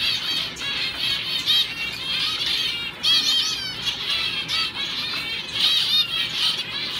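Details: Male owl finch in a show cage during training for shows, singing continuously: dense, high-pitched chattering warble of fast sweeping notes and short trills with brief pauses between phrases.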